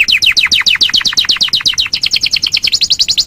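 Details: Canary song from a master recording for bird training: an even run of sharp, downslurred notes delivered roughly eight per second throughout, high and clear.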